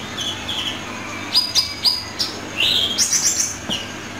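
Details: Sunbird entered in a weekly best-singing contest, replayed from a viewer's recording: high thin buzzy notes and sharp chirps, a few bright descending slurs and a loud trilled burst near the end, over faint background hiss.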